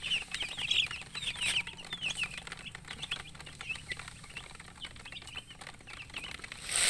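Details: Colourful chicks crying from thirst for drinking water: numerous high, thin peeps in an uneven flurry, louder at the start and thinning out, over a low background hum and a rustling burst at the end.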